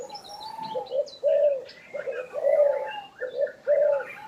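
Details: Spotted dove cooing steadily, with soft mellow coos grouped into repeated phrases about once a second. Scattered high chirping from other birds runs in the background.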